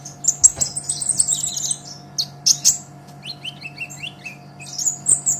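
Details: Greenish olive-backed sunbird singing vigorously, recorded as a master for songbird training: a high chittering phrase, two sharp chips, a descending series of short whistled slurs, then more twittering; low hum throughout.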